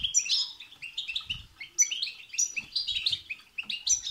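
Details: Continuous European goldfinch song of the bitbita and sitsita type, meant to provoke singing; bright jangling twitters and quick high notes follow one another without pause, with faint low knocks near the start and end.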